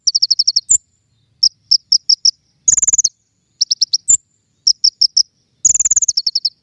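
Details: King konin lure song for trapping birds: rapid strings of five to seven sharp high chirps, two rattling trills and a few higher piercing single notes.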